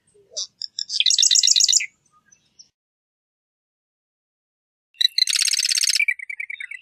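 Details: Marsh wren singing two songs, each a few clicks leading into a dense, rapid, buzzy rattling trill, separated by about three seconds of quiet.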